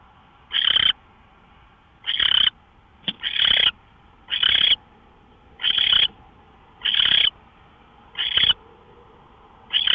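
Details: Early-morning owl, 24 March 2013 around 5:27 AM, giving a long series of eight grating, hiss-like screeches, one brief extra note squeezed between two of them, roughly every second and a quarter over steady hum.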